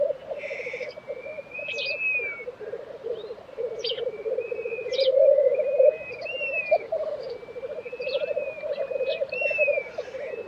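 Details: Black grouse lek in Tiveden, Sweden, April 2023: a dense, unbroken low bubbling of rapid pulses underneath, while other birds add repeated thin whistles and sharp high chips.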